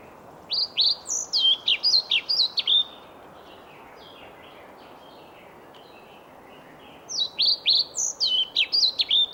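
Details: Male European pied flycatcher singing to a listening female in Sweden: two bursts of high, sweet, rhythmic phrases, each a run of about ten quick, slurred notes falling from high to mid pitch, separated by roughly four seconds of quiet.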